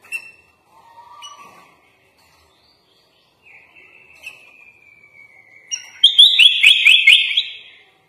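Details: Sooty-headed bulbul, kutilang, giving a full-isian master song. Scattered soft notes and a long, thin, gently rising whistle lead into a loud burst of rapid, sharply repeated chirping phrases near the end.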